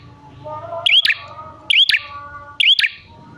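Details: Prinia calling for luring other prinias: three sharp bursts of clicking and a short rising whistle, spaced under a second apart, over soft low background hum.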